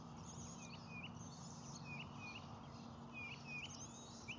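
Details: Osprey at a nest on Lake Murray, filmed by nest camera at 7:58 am on 12 May 2020 during feeding, with a chick hatched that morning: short whistled upslurred chirps, mostly in pairs, repeated steadily over a constant low rumble.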